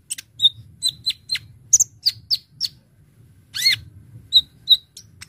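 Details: Brown-throated sunbird song meant for luring birds: spaced, piercing high chips, a few sharper higher notes, and one rising-falling slurred note in the middle, with quiet gaps between the notes.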